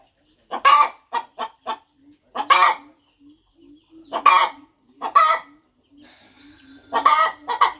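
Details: Farm mother hen settling over her eggs before hatching, clucking while she prepares; scattered single and paired raspy clucks with a low, continuous murmuring hum running underneath between them.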